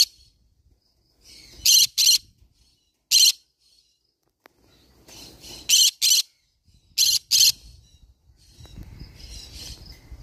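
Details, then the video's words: Green-cheeked conure gives loud, harsh screeches, mostly in quick pairs, with pauses of a second or more between bursts; faint low rumbling between calls. "green cheek conure parrot sound"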